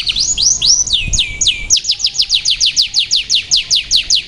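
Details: A white canary sings a run of high, downslurred whistles: a few slower sweeps, then a fast rolling tour of about seven notes a second.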